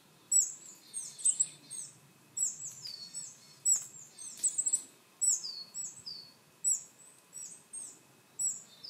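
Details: Willow tit call notes: sharp high chips, each followed by drawn-out buzzy, nasal notes sliding slightly downward, in bursts repeated about every second across the clip; quiet background.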